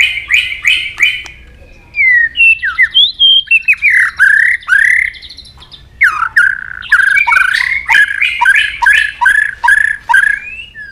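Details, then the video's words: Provoked White-rumped shama in competitive song: rapid repeated notes open, then loud swooping whistled phrases and a long sequence of fast, slurred notes repeated in quick succession. "kích lửa cho chòe lửa căng lửa. chòe lửa tạch đập liên tục. sàn cầu kích lửa cực nhạy.đảo giọng tốt"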